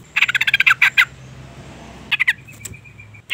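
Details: Female sooty-headed bulbul calling to provoke a male: quick bursts of harsh, rapidly pulsed chattering notes, a run of about ten near 0–1 s, then a shorter burst after a pause.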